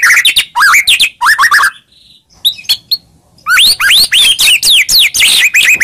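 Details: White-rumped shama song meant to provoke a reply, rapid rising whistled notes in two loud bursts around a quiet gap with a few thin high chirps.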